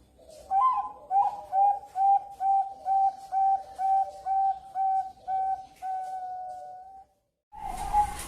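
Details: Young Bangkok-type zebra dove from a bird farm in Kebumen, Central Java, Indonesia, used as a lure to make other birds reply. It gives a steady series of about twelve clear, mellow whistled coos, closely spaced, followed by a burst of noise.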